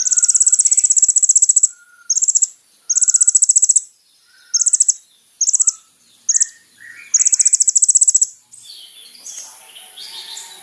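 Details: Kolibri ninja sunbird song used as a lure for other sunbirds: repeated bursts of a very high, rapid trill, some long and some short, with brief gaps, then softer mixed chirping at the end.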